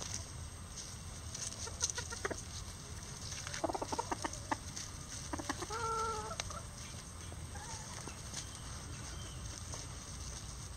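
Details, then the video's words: Bantam chickens, including Lavender Old English game bantams with Mille Fleur d'Uccle and Silver Duckwing, in one flock trying hanging cabbage. Scattered short clucks lead into a brief, harmonic, drawn-out crow-like call midway, then softer clucks over steady background hiss. "Rooster Crowing"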